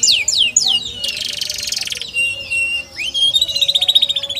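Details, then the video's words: Canary giving three quick downslurred whistles, then a loud harsh buzzy rasp for about a second, followed by a long rising whistle into a fast pulsing trill. "KENARI CORDOR"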